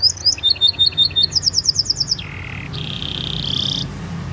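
A canary sings rapid, high, bright chirped phrases, then a sustained buzzy trill and a long high rolling note.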